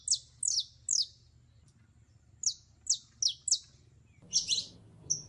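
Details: Mating call of a female canary in heat summoning a male: a series of high, downward-sweeping chirps, three, then four, then a short rough burst and a final bright note, over low steady hum.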